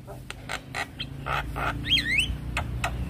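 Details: Stressed Javan myna reacting to another Javan myna's call: a series of rough, broadband buzzy bursts about every quarter second, then a looping, slurred whistle that rises and falls, over a steady low hum.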